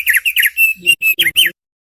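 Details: Thick-billed heleia (opior paruh tebal) singing, a recording meant to train cage birds: fast doubled chirps, a held whistle, then several short, emphatic chipped notes before silence.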